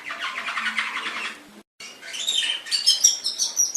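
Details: A pet canary's song used in Indonesia to train other canaries: a rattling trill, a short silence, then higher, varied twittering notes with thin, sharp whistles.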